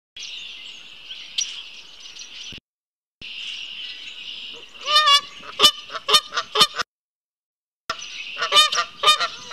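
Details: A pair of Canada geese walking past a patio toward a pond, 10 March 2018 at 16:32, picked up by a camera feed: loud, nasal honks in bursts of several quick calls, over a steady high hiss with short silent gaps.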